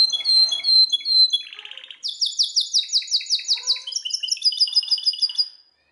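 Belgian canary singing a loud, fast song of varied trills: whistled notes, a buzzy roll, then rapid repeated chirps rising and falling in high pitch.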